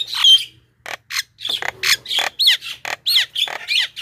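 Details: Lure recording of Javan myna for attracting wild birds: separate, clipped notes, some harsh and buzzy, others sharp and twanging with quick downward slides, following each other about three times a second after a brief opening squawk.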